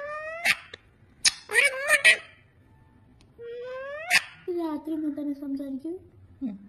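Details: Pet parrot talking indoors: a run of harmonic, speech-like whistled phrases, some rising sharply, then a longer wavering tone and a short low note near the end.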